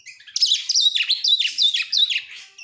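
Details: Oriental magpie-robin song used as a lure to make other birds sing: loud, varied whistled phrases with rising and falling sweeps, repeated in quick bursts roughly every half second.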